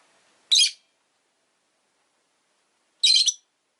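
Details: Rosy-faced lovebird, a pet parrot, giving two short harsh shrill chirps about two and a half seconds apart, otherwise quiet room.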